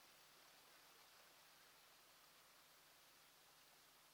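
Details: Very quiet, even broadband hiss like distant water or rain, with no other sounds.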